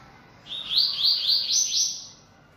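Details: Bold captive Yellow-bellied Seedeater sings one lively phrase of several quick, bright, slurred notes that rise into a sustained high buzzy trill, then taper off.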